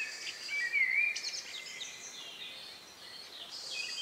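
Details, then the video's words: Evening countryside birdsong shortly before night, May 2, 2020 near 9 p.m.: a clear whistled slurred phrase early on, followed by a dense layer of faint high twittering from distant birds. "relax sound of bird in the evening"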